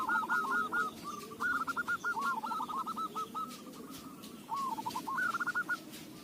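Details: Local zebra dove lure song: repeated trilled phrases of short, hooked cooing notes, run together in long rolling sequences, then a brief lull and a final quick burst, over low background hum.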